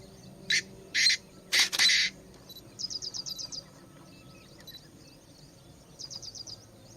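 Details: Chinese francolin giving a loud harsh call of four grating, broadband bursts, the last two close together, followed by soft rapid twittering series from smaller birds.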